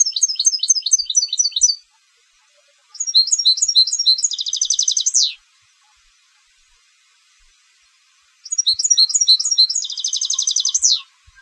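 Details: European goldfinch, a competition bird, singing three high phrases: quick twittering notes, each run ending in a fast, even, buzzy trill that sweeps downward, separated by pauses of about a second or more.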